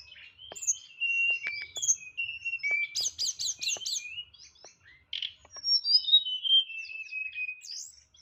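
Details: Kept white-rumped shama, known as tledekan, pouring out varied song in nyeklek style with rich fill-ins: long clear whistles, a buzzy stuttering series, a brief pause, then sweeping high whistled phrases.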